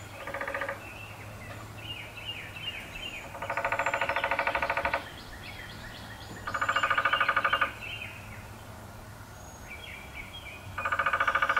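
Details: Male downy woodpecker drumming on a 150-year-old black walnut in Appalachia: steady, rapid rolls of about one to one and a half seconds, repeated every three seconds, with soft chirps from other birds behind.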